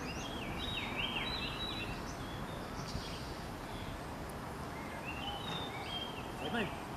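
Hill myna giving clear, stepped whistles that jump between high and middle pitches in two bursts, over a steady rushing background noise.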